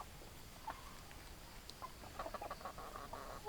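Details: Domestic chickens, hens and roosters: a quick series of short, mid-pitched clucks bunched in the second half, with one earlier isolated cluck, over a low rumbling background.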